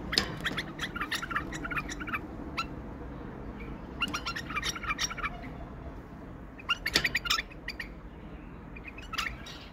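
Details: Tame male bulbul singing and showing wing display: short bursts of rapid, bright, chirping notes come in clusters around the start, near four seconds and near seven seconds, with quieter gaps of low background hum between them.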